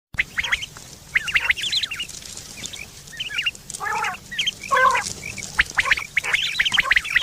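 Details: Quail calling, recorded September 2023, a call described as used for hunting and mating: many short, sharp, twittering chirps rising and falling, with a few louder nasal, harmonic squawks midway and a steady low hum beneath.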